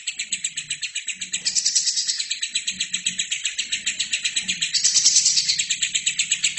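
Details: Shrill, unbroken chatter from a lovebird singing hard, made as a training recording for other birds; fast, evenly pulsed high chirps with brief brighter bursts near the middle and end.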